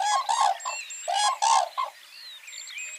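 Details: A herd of common cranes at a village pond in Kushinagar, Uttar Pradesh, in summer, singing and dancing, give loud, rolling trumpeted notes in quick pairs, several a second; thin high whistles from smaller birds sound between them.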